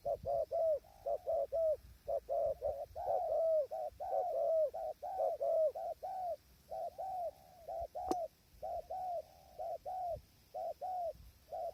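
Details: Spotted dove calling at a trapping tent hide on a windy day, wild birds distant: a long run of mellow, hollow coos in pairs and triplets, steadily repeated about once a second, one sharp click midway.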